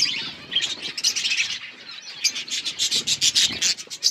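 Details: Feeding flock of budgerigars. High, busy chirping chatter runs throughout, joined in the second half by a quick series of regular, crisp tapping bursts, several per second.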